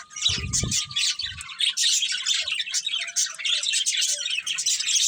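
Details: Breeding pair of budgerigars kept as pets, a dense continuous wash of high, scratchy chirps and warbling chatter throughout, with a few low thumps near the start.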